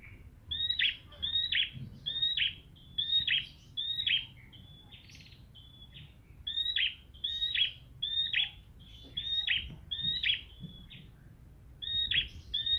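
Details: Prinia singing to draw an answer from a ceplier bird: a steady run of short, high, bright chirped phrases, each a quick downward flick, repeated roughly every half second over faint low background hum.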